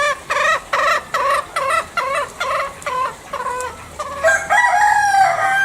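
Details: Green junglefowl from Bali: about nine quick, harsh cackling notes, evenly spaced, then a drawn, higher strained crow-like note ending the sequence.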